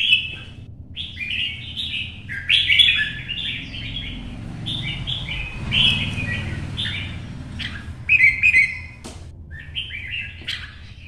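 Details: Red-whiskered bulbul giving 'chạy cầu' duel song alone in morning sunshine to excite other birds: a long run of quick, chattering warbled phrases with brief gaps, over a low steady background hum.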